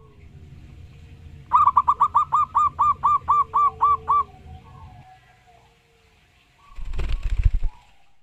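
Zebra dove giving a rapid series of about eleven soft, rounded cooing notes over three seconds, followed by a brief rustling noise.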